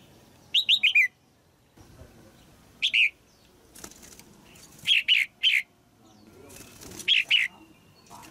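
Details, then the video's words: Caged female red-whiskered bulbul singing to excite an adult male; several short bursts of two or three falling whistled notes, interspersed with fluttering wing and cage rustling noises. "นกหัวจุก birds นกตัวเมียขับขานอย่างไพเราะในกรงเพื่อกระตุ้นนกตัวผู้ที่โตเต็มที่"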